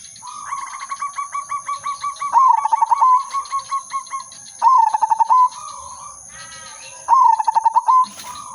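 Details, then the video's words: Silver udanmas zebra dove singing a melodious perched coo used as a trapping lure: long phrases of evenly spaced pulsing coos, each ending in a smooth level note. The phrases repeat several times over a faint steady background hum. "burung perkutut/merbok silver udanmas gacor manggung irama merdu pancingan dan pikat"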